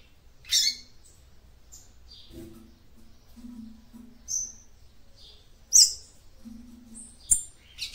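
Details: Female capped seedeater singing to stimulate the male: sharp, high chirps and thin notes in short bursts, scattered over several seconds, with faint low hums in the background.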